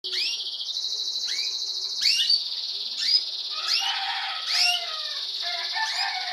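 Timbrado canary chicks give a steady, high, hissing chatter, broken about once a second by sharp chirps that sweep up and down.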